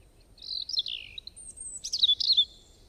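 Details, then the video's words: Bird chirping: high, thin whistled notes that slur downward, then a pause, followed by a burst of bright, sharp chirps in quick succession over a faint low background hiss. "bird chirping sound effect"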